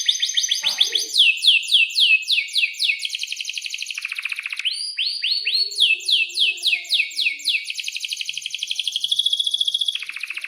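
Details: Atlantic canary, a breeding-condition singer with long 'cuit cuit' rolls, recorded as a lesson for young canaries; series of sharp down-slurred notes repeated about three per second, rising sweeps midway, then sustained high rattling trills.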